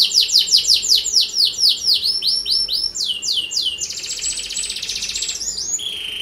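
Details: Canary lure song in 'gacor' style to make other canaries sing: a string of falling whistled swoops that gradually slows, followed by a bright buzzy trill and a final clear whistle.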